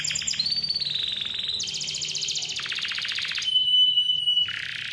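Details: Canary singing loudly with a clear voice, used as a lure for young or reluctant canaries: fast pulsed trills, then a buzzy high rattle, a steady pure whistle, and another rapid trill.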